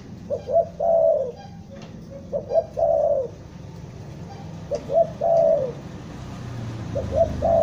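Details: Spotted dove, a tekukur trapping lure from Bandung, giving four quick coo phrases. Stammering introductory notes lead to a long descending coo each time, over a faint low background rumble.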